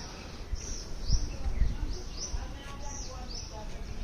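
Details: Birds chirping in the morning: a few bright, high, arching chirps repeated irregularly, with fainter mid-pitched notes beneath and low thumping noise in the background.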